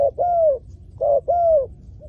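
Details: Decoy spotted dove used to lure wild doves. Two phrases, each a brief clipped note followed by a long, smooth, slightly falling coo, in a quiet setting.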